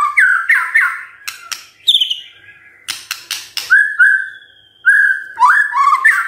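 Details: White-rumped shama morning song, played as a lure to rouse silent birds: fluty whistles and warbles mixed with quick sharp chips, then long clear whistled notes and rolling phrases.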